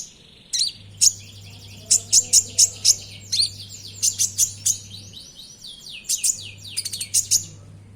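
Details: Lively konin song meant to spur caged birds into singing: rapid runs of high, sharp chirps and fast sweeping trills delivered almost continuously, over a low steady electrical hum.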